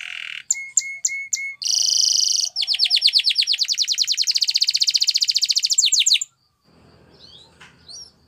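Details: Spanish Timbrado canary training song: clipped separate chirps, a buzzy burst, then a long fast run of whistled sweeps merging into a metallic roll, followed by faint background rustling.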